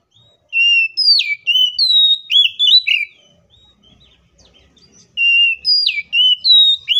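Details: Oriental magpie-robin giving fighting song used as a lure to set other magpie-robins singing; loud, clear whistled phrases with sharp upward sweeps and slurred notes, a quiet gap of about two seconds, then the whistling resumes.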